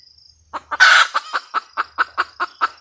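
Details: Red junglefowl hen cackling. A sudden loud, rasping squawk opens the clip, then even, punchy clucks follow at roughly five per second, steady and evenly spaced until the end.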